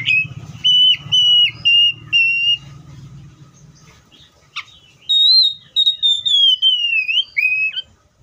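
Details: Caged Oriental magpie-robin giving a series of sustained, pure whistled notes, several repeated evenly, then after a pause a higher descending run of long whistles ending in short notes; low hum under the first half.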